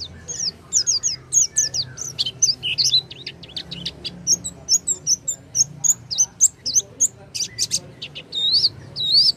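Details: Oriental white-eye lure song to prompt a silent white-eye to sing: rapid, varied, very high twittering with sharp chirps and warbled notes in an unbroken run, ending in louder upslurred whistles.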